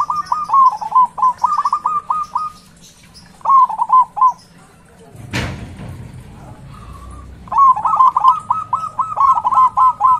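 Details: Big-voiced local zebra dove kept as a lure for other doves. Quick rhythmic runs of clipped coo notes come in three phrases, broken by a sudden loud thump or wing flap near the middle before the last fast phrase.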